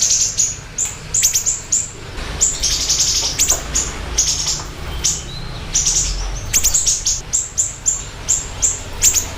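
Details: Lively siri-siri bird recorded as a lure and tutor sound: scattered high, thin chirps and short hissing, rasping bursts over a noisy background, with quicker chirp runs near the end.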